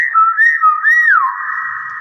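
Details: Whistled phrase from a common hill myna: a few short wavering notes and a rising swoop, then a long sliding fall, indoors.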